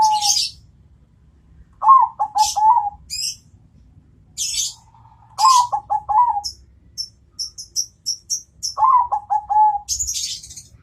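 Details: Bangkok-type zebra dove answering a rival: three phrases of quick stuttering coos ending in a drawn-out note, about every three seconds, with scattered high chirps and ticks from other birds between.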